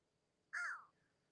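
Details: A crow near water around sunset under clearing skies gives one harsh, hoarse caw that slides slightly downward, lasting under half a second, against a quiet background. It seemed to answer a person's imitated caw, possibly as a warning.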